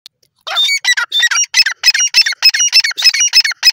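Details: Francolin, locally called teetar, described as an Irani teetar: a fast series of harsh, buzzy, broadband notes, roughly ten bursts repeated in quick succession after a brief pause, with no other clear sounds.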